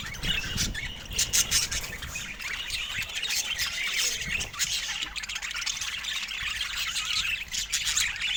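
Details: Constant chattering from a group of budgerigars: sharp squawks and fast twittering notes pile on top of each other, loud and unbroken for the whole stretch.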